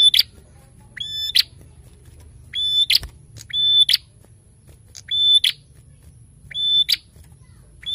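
A prinia sings loud, sharp phrases about every one and a half seconds. Each is a high, steady whistled note joined to dry, snapping clicks.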